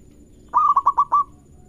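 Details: One song phrase of a local zebra dove, used to encourage other birds to sing: four short pulsed coos followed by a longer, smoothly held closing note, in near silence.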